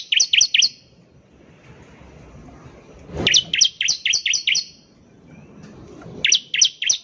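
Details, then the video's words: Vigorous bar-winged prinia song used to lure caged birds: three bursts of rapid, high, buzzy V-shaped chirps, roughly four notes a second, separated by short gaps with faint low noise. "PANCINGAN CIBLEK GACOR || CIBLEK BAHAN PASTI CEPAT BUNYI"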